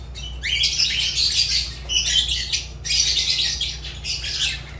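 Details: Pet Fischer's lovebird calling with shrill, rapid chattering squawks in long bursts of about a second each, separated by brief gaps, over a constant low electrical hum.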